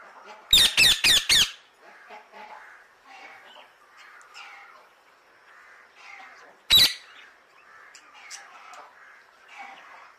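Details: Alexandrine parakeet calling: a rapid series of four loud, grating squawks, then a stretch of soft murmuring chatter and one more harsh squawk midway, with quieter twittering continuing afterward.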